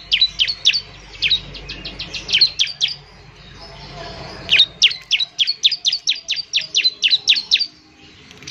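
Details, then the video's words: Bar-winged prinia (ciblek semi) in semi-full song, used to prompt other prinias to sing quickly: two bursts of sharp, high, chipping notes repeated rapidly, with a short pause between bursts. "ciblek semi gacor, memancing ciblek semi cepat bunyi"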